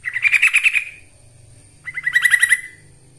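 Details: Yellow-vented bulbul, a trucukan lure song used for training birds: two bright bubbling phrases of rapid, rhythmic warbled notes, each under a second long, separated by a short pause.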